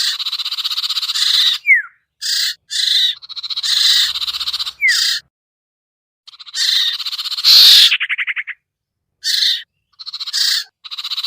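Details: Sirtu (common iora) lure call for hard-to-lure birds: extended harsh buzzing phrases with gaps, two sharp falling whistles early on, a rapid rattling series midway, then short rasps.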